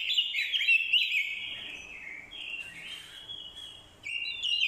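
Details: Orange-headed thrush in lively fighting song, used as a lure with female calls to provoke males; loud tumbling warbles at the start, then sustained whistled slurs and a strong final phrase.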